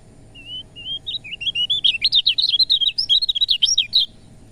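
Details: Lemon-bellied white-eye song meant to prompt reluctant birds to sing: opens with a few soft drawn-out whistles, then accelerates into a fast, loud chattering run of high slurred notes lasting nearly three seconds.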